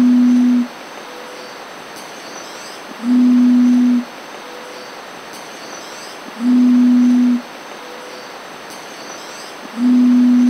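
A long-wattled umbrellabird gives deep, steady, humming booms, each about a second long, repeated roughly every three seconds over a faint, constant high insect whine.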